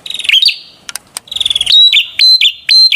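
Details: Prinia giving clear whistled notes followed by a quick stuttering burst of clicks, then loud chirps repeated every quarter second.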